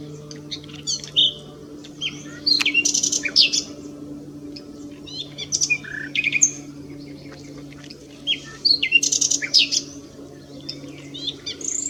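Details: Nightingale song from S'Albufera: several bursts of fast rattling trills and sharp clicks alternating with short whistles, separated by quiet pauses, with a faint low hum throughout.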